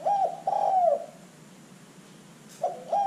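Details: Spotted dove cooing, recorded for use as a lure to draw other birds into calling: low hollow coos, a short clipped note followed by a long slightly falling coo, then a pause before the phrase starts again.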